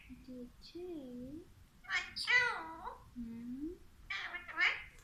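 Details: Caged Alexandrine parakeet talking: low, smoothly gliding speech-like tones, then two louder, rasping, richly layered word-like bursts near the second and fourth-and-a-half seconds, in a quiet small room.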